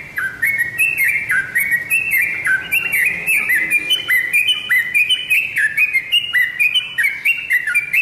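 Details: Yellow-vented bulbul lure song played to make kept birds answer: a steady run of short bubbly whistled phrases, each dropping then rising, repeated about twice a second with overlapping notes throughout.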